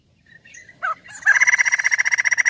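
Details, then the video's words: Crested laughingthrush, a kept songbird, giving a loud burst: a few short notes, then a rapid pulsed rattle repeated about ten times per second, strong and even. "POKSAY JAMBUL GACOR"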